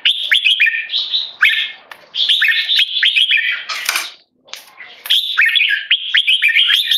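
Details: Keke calls from a tame male red-whiskered bulbul raised Singapore-style and tested on handling human disturbance: loud, choppy chatter of sharp notes broken by a rustling burst and a brief silence mid-clip.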